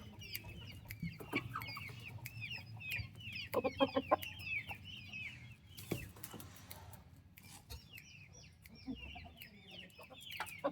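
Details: Healthy, active turkey chicks with their mother give a dense chorus of short, high, downward-slurred peeps, constantly overlapping, with a few low clucks and knocks underneath and a quieter stretch midway.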